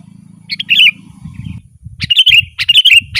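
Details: Lively gacor sooty-headed bulbul song, used for luring wild birds: a chirpy phrase, then a run of quick bubbly notes, with low rumbling noise underneath.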